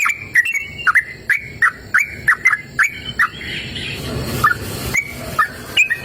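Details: Yellow-vented bulbul singing steadily outdoors in a cool open natural setting: repeated bubbly whistled notes dipping and rising, briefly covered midway by a rushing noise before the phrases resume more sparsely.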